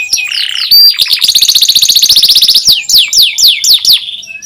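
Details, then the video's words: Young canaries are trained with this canary song: a short whistled note, then a dense rapid high trill, ending in a series of loud downward-sweeping whistles. "SUARA NYERILIK,PANCINGAN KENARI PAUD & MASTERAN KENARI SUSAH BUNYI"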